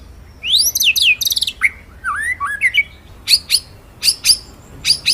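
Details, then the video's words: White-rumped shama master song for training other birds: sweeping whistled downslurs, then sharp high chips and paired rising notes in quick bursts, clean with no other sounds. "BURUNG MURAI MASTERAN NGEROLL NEMBAK"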